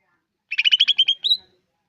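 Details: Greater green leafbird, cucak ijo: a brief burst of about eight quick chattering notes on a level pitch, then a slurred upward whistle, all within one second, in otherwise quiet surroundings.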